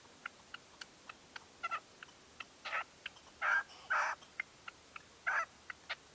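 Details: Decoy red-legged partridge calling at first light in a 2023 hunting stand: steady faint ticking notes broken by several longer, louder grating calls in the middle.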